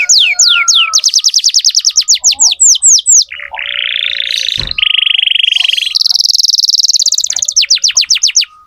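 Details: Young canaries tutored with a loud singing canary: long series of rapid descending whistled sweeps, a low buzzy trill, then a very high fast trill before the sweeps return.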